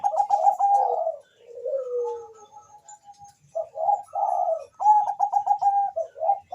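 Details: Zebra dove of the Bangkok type calling fast while a rival answers: clustered bubbling coos, a low sliding coo, faint repeated notes, then renewed rapid stuttering coo phrases ending in short bursts.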